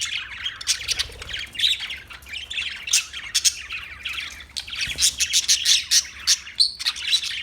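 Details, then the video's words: Several parakeets chirp busily, with quick clicking chirps and short shrill squawks crowding together without pause. "Birds Parakeet Sounds Parrot Chirping Sounds"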